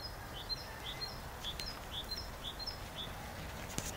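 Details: Great tit singing: a quick series of clear two-note phrases, a high note then a lower one, repeated about twice a second over steady background hiss, with a few faint clicks.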